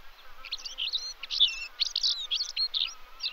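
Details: European stonechat (Saxicola rubicola), song.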